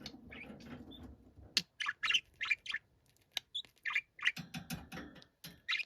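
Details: Angry-sounding pet budgerigar giving repeated harsh, rasping squawks in short bursts about every half second, after a quieter stretch of low rustling background noise.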